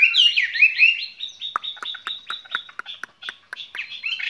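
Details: Caged skylark with a spring song: lively warbled chirps at first, then a steady high note laced with fast, scattered clicks that fade toward the end.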